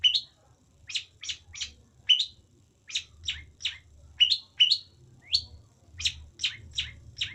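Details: Long-tailed shrike, or pentet, delivering a run of rasping, rising-and-falling notes, some paired, repeated quickly with a few short pauses; a soft low hum runs underneath.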